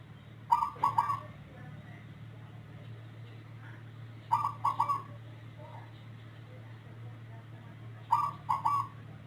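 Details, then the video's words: Zebra dove noted for an odd voice different from local and Bangkok birds, cooing tirelessly and at length, especially in the pre-dawn morning: three phrases of three quick, rolling coos, spaced about four seconds apart, over a low hum. "Perkutut Rondosemoyo suara aneh rajin manggung durasi panjang"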